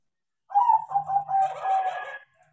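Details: Crossbred zebra dove, tame and taught to sing: a flowing series of mellow coos running into a sustained purr, overlaid midway by a rougher, hissy buzz.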